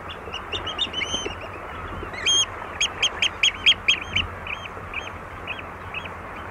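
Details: Oystercatcher calls at Walney, close up: a burst of excited, overlapping shrill piping notes, quickening then easing into spaced single 'kleep' calls, with water lapping and a soft hiss beneath.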